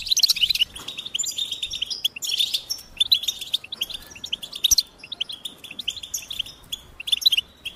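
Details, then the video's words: Goldfinch song in loud bursts of bright, rapid twitters and chirps, separated by short quieter gaps, clean and high-pitched with little background noise. "Experience the Goldfinch Singing"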